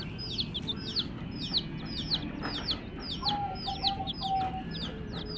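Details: Chirping of baby domestic chicks: bright descending-then-rising peeps about two per second from several birds, fairly even in rhythm, with a low murmur of background noise.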